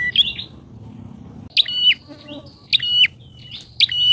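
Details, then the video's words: Bar-winged prinia used as a lure bird for trapping wild prinias, loud and vigorous: sharp high chirps with a steady whistled tail, given in short bursts about a second apart, with gaps of quiet between. "PIKAT PRENJAK!!..PRENJAK LIAR KALAH PAMOR DGN PIKATANYA...GACOR"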